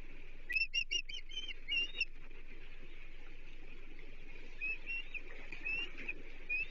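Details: Osprey at a nest on the Chesapeake, 30 June 2023, as the third fish of the day, a menhaden, is brought for the chicks. Two bursts of short, high, whistled chirps are separated by a quiet gap, over a steady hiss.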